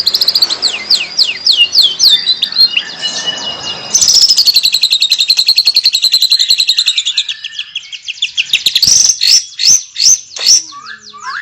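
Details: White-rumped shama singing richly: a series of high downslurred whistles, then a long rapid buzzy trill held for several seconds, ending in sharp clicks and a few separate whistled notes.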